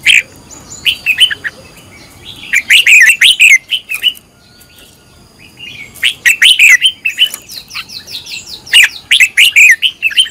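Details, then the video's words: Red-whiskered bulbul trained as a decoy, singing long rapid runs of sharp, varied chirping notes in two bursts separated by a quiet gap of about two seconds, loud and close. "luyện giọng chào mào hót hay"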